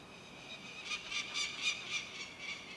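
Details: Young Eurasian eagle-owl that has just left its nest, which was in a church tower, giving harsh, hissing, noisy bursts in quick succession, about four per second, with a faint steady hum underneath.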